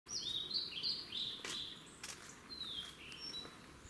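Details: Eastern crowned warbler, male and female, at Ohora spring, Lake Yamanaka, Japan, on 10 May 2021: a run of quick, thin, high notes, then a short descending phrase, with a couple of soft knocks.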